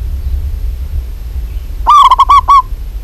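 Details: Female zebra dove of a local strain calling to a male: after a silent stretch, a single fast phrase of about five throaty, rolling coo notes, loud and slightly distorted.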